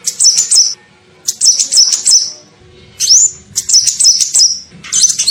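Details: Kolibri ninja sunbird lure call, used to attract other birds: five short bursts of high, thin twittering notes, with one clear upward-sweeping squeak near the middle.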